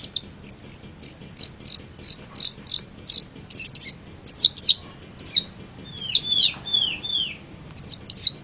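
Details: Song of a long-tailed shrike (cendet): a steady series of short, high whistled notes about three per second, then lower down-slurred whistles and varied chips toward the end.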